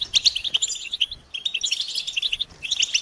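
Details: European goldfinches chattering together in a stimulation recording meant to make males sing; quick runs of sharp, tinkling chirps in bursts, with a short pause before a fresh flurry near the end.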